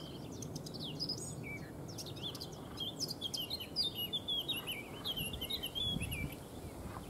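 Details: A Eurasian blackcap sings in the background in Neerijnen, the Netherlands, while a white stork forages: a rapid, varied warble of high chattering and fluty notes over a steady low rumble of wind or distant traffic.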